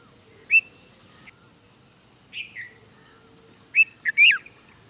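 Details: A red-vented bulbul in India gives short, bright chirping notes, first singly and then a quick cluster of three or four liquid chirps near the end.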